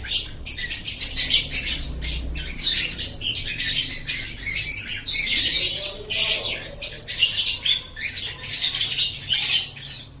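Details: Lovebird singing for use as a master song: a long, frantic stream of clipped, shrill chattering notes in quick pulses, harsh and squeaky, barely pausing over ten seconds.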